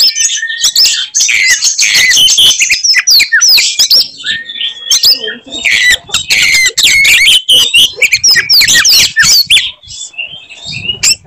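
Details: Fighting Oriental magpie-robin (kacer) pouring out loud, continuous 'tembakan' phrases to enrage other magpie-robins: a busy mix of squeaky whistles, scratchy buzzes and crackling clicks, almost without pause.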